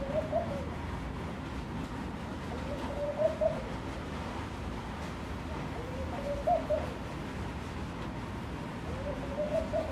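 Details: Laughing dove that came to a room window, giving soft bubbling low coo phrases of several quick notes, each phrase repeated about every three seconds, over steady background hum.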